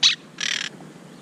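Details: Monk parakeets fussing at a camera beside their nest under construction; a sharp short squawk followed by a longer raspy screech.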